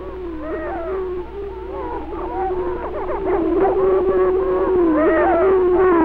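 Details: Greater Prairie Chicken male courting a hen in Benton County, Missouri, on a 1948 natural-sound recording: many overlapping low hooting booms and warbling tones, a steady moaning drone with rising and falling wavering notes throughout.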